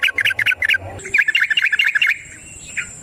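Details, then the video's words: Yellow-vented bulbul (trucukan), lively long-rolling ropel panjang song in wild style, used as a lure to provoke other birds to sing; quick bubbly chattering notes in rapid bursts, then a steady thin high whine and a final chirp. "Trucukan GACOR ngalas ROPEL PANJANG suara alam AMPUH buat pancingan"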